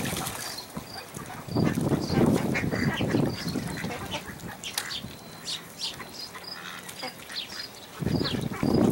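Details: American black duck and mallard hybrid filmed at Port Colborne on August 11, 2022; coarse, raspy quacks come in bursts, loudest near the start and again at the end, with high thin bird chirps repeating in the background.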